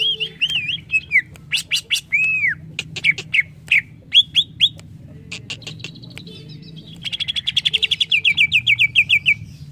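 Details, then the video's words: Greater green leafbird singing varied whistled phrases, arched slurred notes, sharp ticks and a fast rhythmic run of rising-falling notes near the end, used as training song for other birds. "Suara burung CUCAK IJO"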